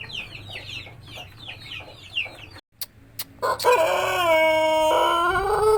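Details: White Pelung chicken crow following a run of quick, descending chirps from small birds. The crow starts at mid-clip in stepped rising notes, then holds a long, even tone to the end.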